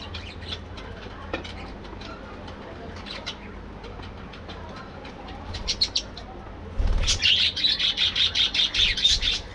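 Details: Parakeets in a breeding colony at morning activity: faint scattered chirps give way to a loud run of rapid, evenly spaced sharp chirps, roughly two to three per second, over a low hum.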